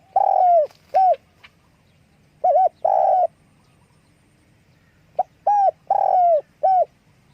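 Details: Spotted dove calling with wing flapping. Two phrases of mellow hollow coos, including long notes that slide down at the end and short doubled notes. Close and loud over a faint low hum.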